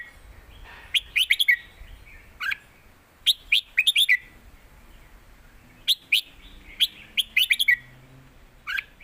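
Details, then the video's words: Contest singing by caged red-whiskered bulbuls in the southern master style: clusters of three to five sharp, bubbling whistled notes, repeated in groups with short silences between. "ดอกต่อดอก นกเสียงทองดวลเพลงกัน(เพลงใต้แม่บท)"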